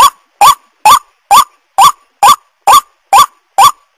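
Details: White-breasted waterhen lure call for attracting wild birds: a loud, harsh honking note with a short rising twist, repeated very regularly about twice a second, nine times.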